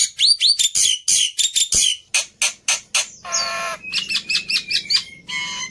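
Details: Fast harsh chatter from a worked-up fighter Black-winged myna, kept as training audio for other starlings, shifting midway into a droning nasal buzz and then short looping whistled notes.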